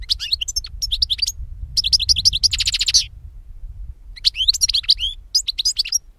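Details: Lively European goldfinch song from a lure recording for catching birds. Bubbly, high twittering runs are broken by a brief harsh buzzy burst and short pauses, over a low rumbling background.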